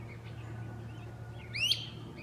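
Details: Great crested flycatcher in the forest treetops: one abrupt, ringing, upward-sweeping whistle with strong harmonics. Quiet bird notes and a low constant hum fill the background.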